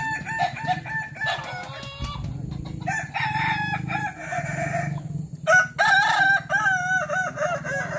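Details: Crowing of Kukuak Balenggek roosters at a practice contest in Sawah Lunto: several bursts of staggered, wavering syllables separated by short gaps, loudest near the end, with a continuous low droning hum beneath.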